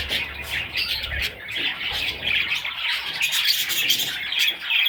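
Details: Young budgerigar chicks giving rapid rasping squawks and chirps, about two to three per second, overlapping in a steady chorus.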